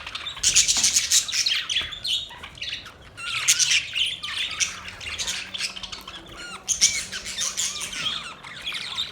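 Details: Budgerigars chirping: a dense, lively stream of high, scratchy warbles and squawky chatter in bursts, with a brief lull near the middle, over faint low background hum.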